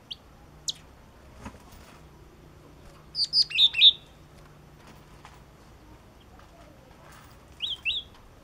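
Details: A yellow-cheeked tit gives a quick burst of four bright, high clipped notes, then after a pause a softer pair of similar notes, with scattered faint ticks around them.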